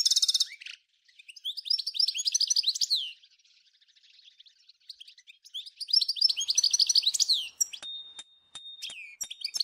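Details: 'Nature' style song of a European goldfinch from Souk Ahras (Taghast), Algeria, tied to Ain Dalia dam, Djnane Bouecha and Firmet Djoudi, 1995: fast chattering twitters and buzzy runs, then a sustained thin whistle among sharp clicks.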